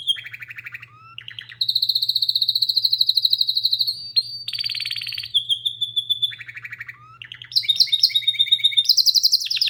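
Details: Canary song running nearly ten seconds: low-pitched rolling trills, a long bright rapid trill, buzzy bursts, then high fast chattering notes, all over a constant low electrical hum.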